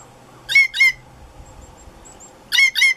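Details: Female blue jay alarm calling or imitating a sharp-shinned hawk to alert other jays: two pairs of harsh, ringing double notes, the pairs about two seconds apart, with faint background noise.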